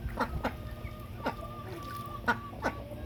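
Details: Loud duck calls while it plays with water: five brief, nasal quacks spread over three seconds, over a faint steady hum and a low background rumble.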